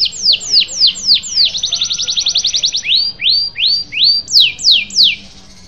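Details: Canary song for stirring silent canaries to sing: descending swooped whistles, a fast buzzy trill, then a series of rising slurred whistles repeated roughly every half second, loud and clear.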